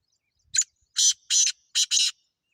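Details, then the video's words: Wild francolin calling outdoors: a short rasping note followed by four loud grating bursts, the last two run close together, with silence around them. "جنگلی تیتر کی زبردست آواز"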